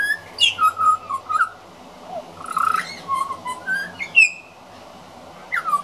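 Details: Juvenile pied butcherbird rehearsing its song as a regular garden visitor: mellow, slurred whistles sliding down and up between low and high pitches in loose phrases, with a steady low hum behind.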